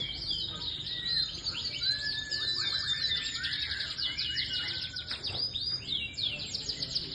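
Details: Canary in a song-contest style simulation: a fast, continuous song of sweeping whistles and rapid trills, with notes sliding up and down, lively and unbroken.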